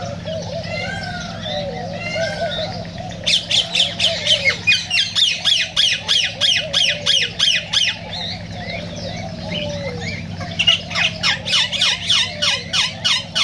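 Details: Cockatiels in a recording said to spur mating and song: soft whistles at first, then long runs of harsh, rapid squawks repeated about three to four times a second, pausing briefly before resuming.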